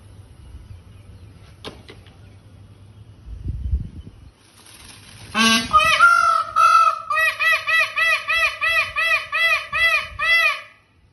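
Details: Indian peafowl: after low rumbling background and a brief thump, a loud nasal wail breaks out, followed by about a dozen rapid, evenly spaced honking cries, roughly two per second, fading at the end.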